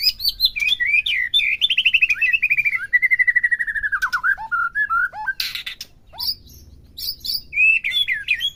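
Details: White-rumped shama song, played to provoke a captive bird into singing: rapid rolling trills sliding downward, then clear whistled notes and sharp chattering bursts, varied and loud throughout.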